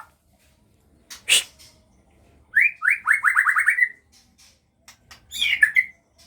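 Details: Captive-bred White-rumped shama of the Aceh type, kept where the young are starting to learn to fly. A quick series of about seven rising whistled notes, a few brief chips before it, and a squeaky burst at the end.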